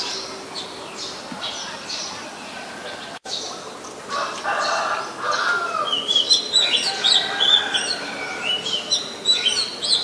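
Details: Oriental magpie-robin, Ubon Ratchathani, Thailand, 23 December 2019: faint scattered notes and a brief click early on, then a lively run of high whistles, chips and slurred phrases grows louder toward the end.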